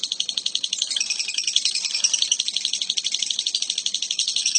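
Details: A lovebird gives an odd call: shrill, rattling chatter made of fast, even clicks packed tightly together, unbroken for the whole stretch.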